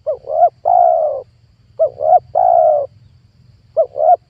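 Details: Spotted dove calling, a recording meant to lure wild doves for trapping: soft double coo followed by a sustained, slightly falling coo, the phrase given twice and begun a third time, with gentle low background noise.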